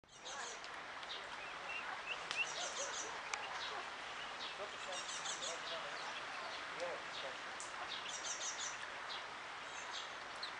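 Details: Mallard ducklings peep constantly in high, thin, rapid chirps that overlap from several birds, over a steady background hiss and perhaps faint voices.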